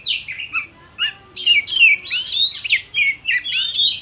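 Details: Song of an oriental magpie-robin played to provoke other birds: quiet broken whistles, then an energetic sequence of loud looping whistled and rasping notes, several per second.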